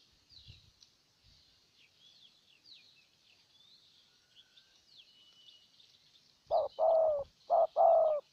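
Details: Spotted dove decoy from Ninh Thuận coaxing a wild dove: quiet stretch with faint high chirps from other birds, then loud low cooing near the end, a short note followed by longer falling notes, repeated twice.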